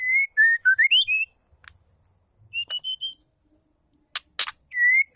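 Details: Female white-rumped shama call, used to stir male shamas into singing: clear whistled notes around a steady pitch, some sliding upward, in short bursts separated by silences, with a few sharp clicks near the end.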